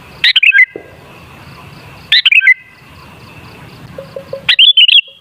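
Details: Sooty-headed bulbul song, played as a lure to get bulbuls singing. Bright bubbly whistled phrases come in three bursts about two seconds apart, over a steady faint high hum and pulsing background.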